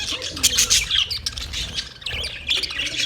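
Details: Short burst of parrot sound: loud shrill chirps and harsh squawky notes, a brief quieter moment, then more sharp high chirps.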